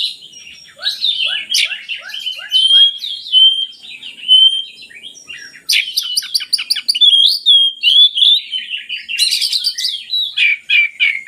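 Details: Oriental magpie-robin song meant as a lure to get lazy magpie-robins singing: a varied, rich run of clear whistles, short descending chips repeated in a series, and bursts of rapid buzzy, trilling notes.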